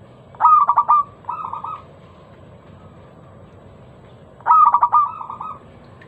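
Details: Local zebra dove singing a loud, clear lure song meant to prompt other doves to sing: a burst of quick staccato coos that runs into a drawn-out tone, a softer purring follow-up, then the phrase repeated after a pause.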